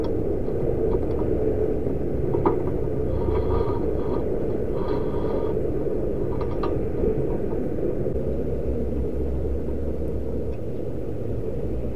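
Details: Steady low rumble of vehicles or machinery with faint clanks and knocks, and no clear animal voice.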